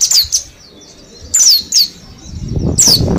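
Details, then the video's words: Caged mountain white-eye from Mount Slamet, kept in a group cage, ten days into learning the ngalas song style: a few sharp, high, down-slurred chirps in short bursts separated by pauses, with low rumbling background noise. "Pleci gunung slamet ombyokan 10 hari belajar ngalas"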